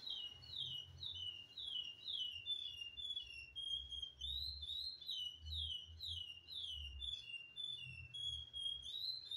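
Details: A chestnut-bellied seed finch, now all black after its moult, sings a long, flowing run of clear slurred whistles, rising and falling several times a second, with some thin, buzzy high notes.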